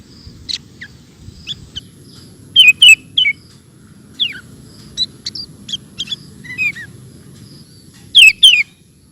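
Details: Sooty-headed bulbul singing in the rapid ropel style, called super gacor: loud, fast, varied whistled and chattering notes scattered irregularly, including quick falling slurs and short bursts, over a faint low rumble.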